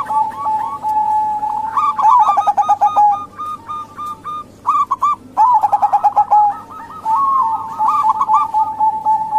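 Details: Zebra dove coos from local females, used as a lure for males that seldom sing. Quick stammering notes come in bursts, dropping into a deeper rolling trill near the middle.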